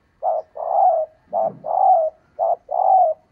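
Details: Female spotted dove calling to stimulate males: three paired coos, each a short note followed by a longer, slightly falling coo, repeated about once a second, with a faint low rumble.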